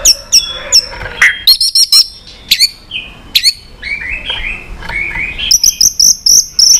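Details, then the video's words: White-rumped shama song with many voices, used for training other birds: high sharp chips and clicks, then warbled phrases, ending in a fast series of thin high whistled notes. "Chòe Lửa Hót Nhiều Giọng, Luyện Chòe Lửa Hót Căng"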